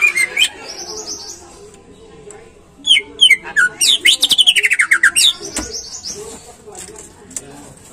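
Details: Captive greater green leafbird singing as a prompt for other birds: a few whistles, then a rapid string of sharp, descending chirps, about three per second, ending in buzzy notes.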